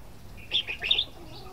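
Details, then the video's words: A single quick red-whiskered bulbul phrase: a few rapid, sliding high notes run together in under a second. "Chào mào hót"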